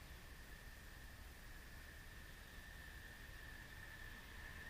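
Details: Only a steady hiss of background noise with a constant faint mid-pitched hum is heard, with no animal calls.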